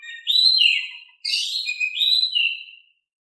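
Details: Oriental magpie-robin in full, mellow song intended to make idle birds answer; two connected whistled phrases of sweeping downslurred notes with a brief harsh, buzzy accent between them.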